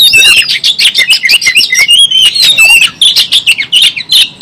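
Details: Fighting Oriental magpie-robin with its tail opened, pouring out a nonstop run of quick clear whistles mixed with buzzy, scratchy notes in sharp, closely spaced pulses.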